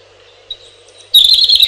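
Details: After a short, faint high note and a pause, a robin bursts into a loud, rapid, high-pitched twittering phrase.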